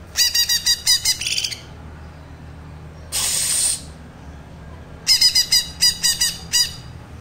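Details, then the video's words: Green leafbird singing in the trotol tipis style, a training song for birds to learn: rapid bursts of sharp, ringing high notes in quick rattling runs, broken by a loud hissing burst and pauses, with low background noise. "cucak ijo trotol tipis belajar bunyi"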